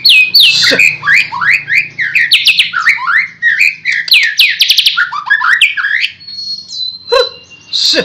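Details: White-rumped shama singing loud, varied phrases of rich whistles, sharp upward and downward slurs and fast chattering notes, ending with a thin, level whistle and a final burst.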